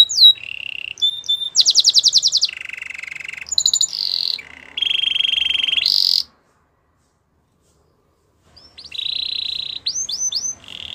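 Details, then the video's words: Canary song of the kind used for singing training and coaching: a fast succession of rolled trills and clicky phrases, bright sustained buzzes, then two seconds of silence before a steady trill and rising whistled notes resume. "Canary bird sounds | Your canary will sing a lot"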